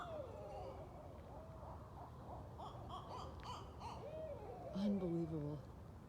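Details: A group of wild Barred Owls calling at night, at least three or four present; jumbled quavering hoots and bent wailing notes overlap, while a man's low excited voice and some clicks break in near the end.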